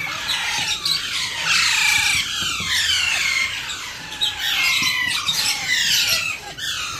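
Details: Alexandrine parakeet chick at hand feeding, calling with raspy, downward-slurred squawks in irregular loud bursts, separated by short quieter gaps.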